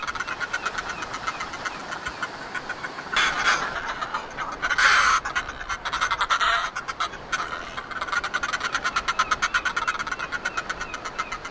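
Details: Northern Fulmars at their cliff nesting site at Foreness, Southeast England, on a sunny early-summer morning during noisy courtship that forms the pair bond: fast, guttural, engine-like cackling chatter throughout, with several louder, harsher outbursts in the middle.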